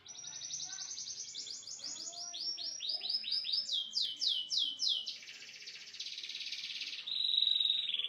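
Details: Canary singing the song variation called cililin: series of rapid downward-slurred trilled notes stepping higher in pitch, then a dense buzzy rolling trill, ending on a sustained high piercing note; quiet background.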